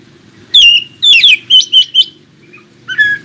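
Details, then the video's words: Oriental magpie-robin singing to prompt other magpie-robins to answer: a rapid run of five loud clear whistled phrases, each sliding downward, then a brief pause and a buzzy burst, over a steady low background hum. "KACER ANDA LANGSUNG IKUTAN NYAUT dan NGOBRA JIKA DENGAR SUARA KACER INI"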